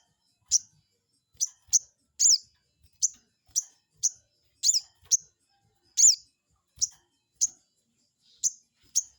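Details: Crested jay, played to provoke a rival into replying: about fifteen sharp, high chirps at uneven intervals. A few are longer and slurred downward. The background is quiet.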